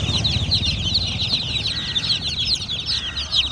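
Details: A group of baby chickens chirps continuously: many high, quick peeps overlap into a lively chatter, with a faint low rumble beneath.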